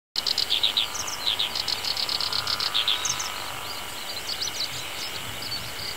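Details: Black-browed reed warbler singing in a reedbed as summer sets in: rapid high-pitched chattering phrases of clicks and short buzzy notes, loud at first then fading to softer twitters, over a steady engine hum from grass mowing nearby.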